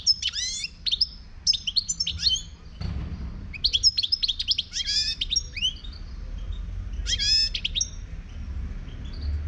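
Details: Singing Moroccan 'khlawi' goldfinch giving dense bursts of high, rapidly swept twittering notes and tinkling chirps, broken by a short quiet gap near three seconds, then further lively phrases and a final flourish.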